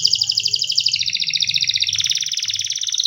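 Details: Canary singing a continuous fast trill of buzzy repeated notes high in pitch, easing slightly downward and then jumping up into a brighter, quicker roll, with a faint low hum underneath.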